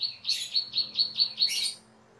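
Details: Cucak keling, a caged bird in a master recording used to train other birds, gives a short string of six evenly spaced high piping notes ending in a louder burst.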